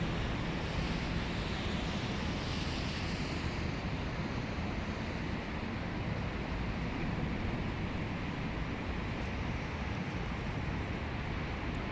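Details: Steady broadband roar of wind or distant traffic, with no animal calls standing out.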